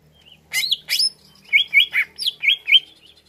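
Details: Greater green leafbird lure song: loud slurred whistles followed by a string of six looping, rising-then-falling notes about a quarter second apart.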